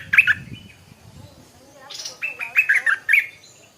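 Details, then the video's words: Morning song of a stripe-throated bulbul: a short burst of bright warbled notes, a quiet gap, then a livelier run of chirpy, rising and falling notes. "เสียงนกดอกแตงEp.142 กินกาแฟฟังเสียงนกต่อเจ้าตัวเล็กยามเช้า(Stripe-throated Bulbul)"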